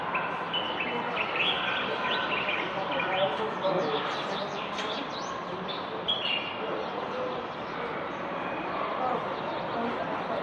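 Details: Common bulbul heard from a balcony in Marrakech, Morocco, on 15 February 2020: short bright whistled phrases at mid pitch, loose and irregular, over constant city hum with high sparrow-like chirps and distant traffic.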